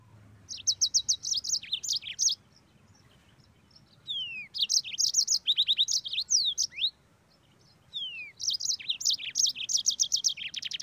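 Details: Yellow-fronted canary singing in captivity, fast rolling phrases of evenly repeated sharp high notes, interspersed with falling whistled slurs, in three long bursts with pauses of about a second.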